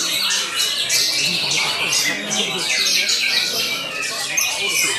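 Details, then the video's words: A white-rumped shama competing during a 10-minute judged session sings a rapid, varied stream of high whistles and harsh chattering notes, with other birds overlapping and faint voices and clapping behind. "murai batu"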